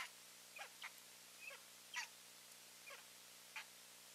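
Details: Eagle pair visiting their nest on 15 March 2023, calling: a faint series of short, sharp, scratchy yelps, about seven notes spaced roughly half a second apart over four seconds, above a steady low hum.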